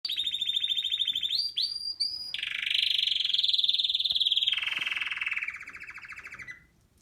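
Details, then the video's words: A male canary sings to his female, giving high, fast rolling trills that switch between trilled phrases and ease slightly lower in pitch toward the end; real singing recorded in 2018. "Male canary call in his female"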